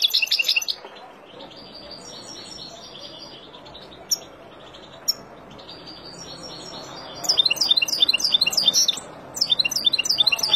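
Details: Wild European goldfinch singing to teach young birds. Thin drawn-out notes and a few sharp clicks give way to a loud, rapid, tinkling chatter of jumbled high notes in the final seconds.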